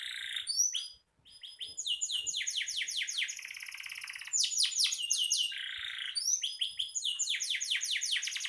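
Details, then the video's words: Canary singing gacor, used as master song for training songbirds; rich mix of high whistles, rapid down-sweeping trill notes and buzzy rolls, briefly pausing near the start. "Suara burung kenari gacor"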